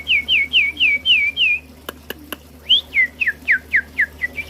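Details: A male White-rumped Shama (murai batu) in a breeding aviary sings bright, looping whistles about four per second; a brief pause holds a few sharp clicks, then more varied, downslurred whistles.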